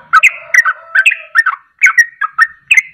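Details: Sooty-headed bulbul singing a 'ropelan' phrase meant to lure other birds into song: paired liquid whistled notes, some sliding down, some rising, delivered in quick bouncy succession.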